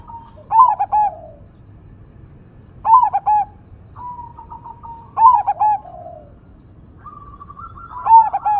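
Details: Zebra dove of crossing type, a strong, vocal bird with a loud voice in 'engkel' single-vocal style: rolling trilled coos repeated about every two and a half seconds, with steady hummed notes between them and faint nature ambience behind.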